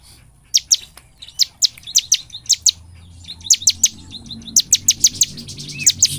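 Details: Cinereous tit (ciblek) song used as a lure to make birds sing day and night: quick series of sharp, high, emphatic chirps in repeated groups, some notes doubled, over a faint low background rumble.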